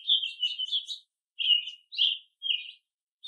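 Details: Chorus of American robins of different ages while foraging: a run of warbled, slightly burry phrases, then three separate clear whistled notes falling in pitch, delivered rapidly.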